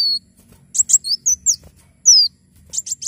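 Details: Javan sunbird singing energetically, recorded as a tutor and lure sound: high, thin, sharply slurred whistles and short tinkling chips in quick bursts, separated by brief pauses, over a faint low hum.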